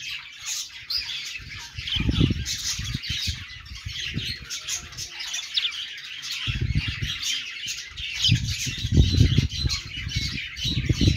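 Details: Budgies chirping happily in a steady, busy stream of warbled squeaks and twitters, broken by bursts of low thuds and rustling.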